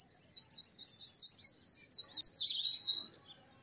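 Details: Purple sunbird song: a high, rapid trill that starts with separated chips and runs into a dense, buzzy, sustained warble for about two seconds before stopping.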